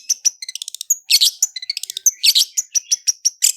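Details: Long-tailed shrike song used as a lure recording, in the fast rolling style; rapid series of sharp high chirps and clicks, with dense buzzy bursts between brief whistled notes.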